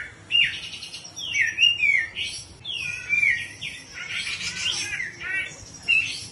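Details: Grey-cheeked bulbul singing in the ngepik siul style: clear whistled phrases that swoop and slur down, broken by short chirpy bursts and brief pauses, in a fairly quiet setting.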